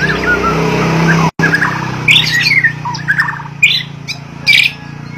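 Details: A Bornean white-rumped shama (Copsychus malabaricus) sings loud, squawky phrases mixed with bright whistled notes, repeated about once a second, over a steady low engine hum.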